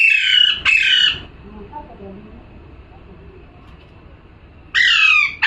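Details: A parrot gives two raspy screeching calls, then a lull with faint low voices, and a third harsh screech returns near the end.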